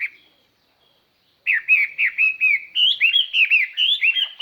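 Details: Lure Chinese hwamei singing to stir up wild birds. A single whistle is followed by a second and a half of silence, then a fast, even series of loud, rich whistled notes at about four per second.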